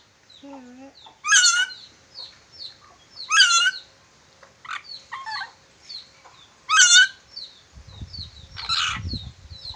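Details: Whistling Red-breasted parakeet from Sulawesi: loud, raspy squawks repeat about every two seconds among soft whistled notes, with steady high chirping from other birds and a low rumble near the end.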